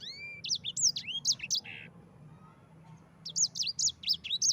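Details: Yellow-fronted canary in ngerol song for training other canaries: long rising whistles lead into quick high slurred notes and a brief buzzy phrase, then a pause and a second fast whistled burst.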